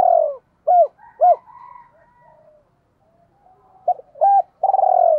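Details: Decoy spotted dove in the thổ voice style calling a long descending burred coo, then two short hollow notes, soft warbling murmurs between, then clipped notes leading into a final long rolling coo.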